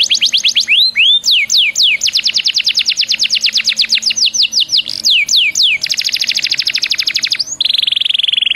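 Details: Canary singing as a lure to prompt other canaries to sing: long runs of rapid downward-sweeping whistled notes, a fast buzzy trill, then a steady descending rattle, loud and clear throughout.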